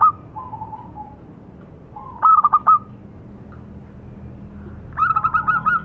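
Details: Local perkutut, the zebra dove, heard in brief cooing fragments: a faint falling coo, one clipped stuttered phrase, then a closing run of rapid pulses over low background noise.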